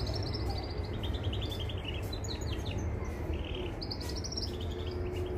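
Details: Mosaic canary song used for training young canaries: thin high trills and rapid repeated chirp series, some rising and falling, over a steady low rumble of background noise.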